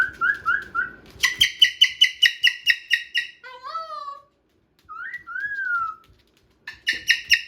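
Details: Male Moluccan cockatoo kept as a pet indoors, playing with a new box, utters soft whistled notes, then a long rapid series of loud harsh pulses, and a few rising drawn calls before the pulses resume.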